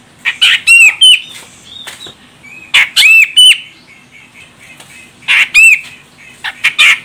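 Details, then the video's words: Female grey-cheeked bulbul of Medan, Sumatra, calling to provoke the male: paired harsh bursts with ringing upslurred whistles, repeated in clusters roughly every two seconds. "Cucak Jenggot Medan Betina Ini Bikin CJM Jantan langsung Koar Koar"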